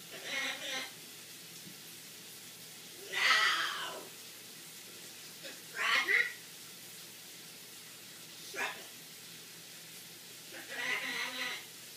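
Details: Blue-and-gold macaw talking in the shower, saying phrases like "we'll see you later" and "shake it": short, speech-like bursts, about five phrases spaced seconds apart, over the steady hiss of running water.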